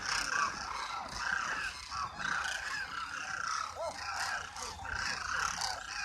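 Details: Flock of demoiselle cranes at Khichan village near Jodhpur, Rajasthan, India: steady massed chorus of throaty, rolling calls blending together, with a few clearer upslurred notes rising above the crowd noise.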